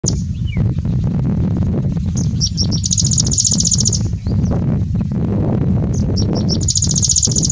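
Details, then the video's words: Grey-breasted Prinia singing on a windy day: two high, rapid, buzzy trills, each about a second and a half, over a steady roar of wind. "Grey breasted Prinia singing"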